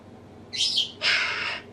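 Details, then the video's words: Pet African grey parrot mimicking human noises: a short, sharp sneeze-like burst, then a longer hissing, breathy blast like someone blowing their nose. "African Grey Parrot talking sneezing blowing nose"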